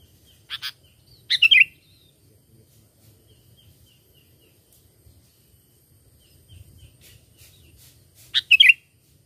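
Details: Used as a lure for trapping, a sooty-headed bulbul gives short bright notes and a rich slurred whistled phrase, a pause with faint soft chips, then another liquid phrase of several quick notes.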